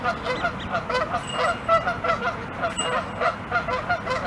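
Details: Canada geese honking angrily as they come out of a pond and charge at their flock in a fight: dense, loud, overlapping nasal honks from several birds, repeated rapidly throughout, with steady background noise.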